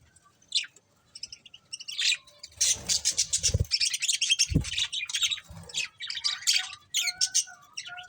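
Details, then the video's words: Budgerigars, a breeding pair, chirping: a few soft chirps build into a long dense run of rapid scratchy warbling chatter, with occasional low bumps and brief steady tones. "Cute Budgies Chirping Sounds"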